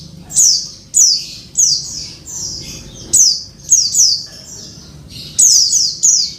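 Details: Calls of a female Oriental white-eye summoning the male, meant to coax a quiet caged bird back into song: sharp, high, falling squeaks in pairs and triplets with brief pauses, over faint background hum.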